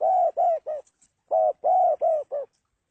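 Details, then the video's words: Two quick cooing phrases from a spotted dove, each several husky notes ending in a shorter, softer coo, separated by a brief pause. "tiếng chim cu gáy Độc Lạ"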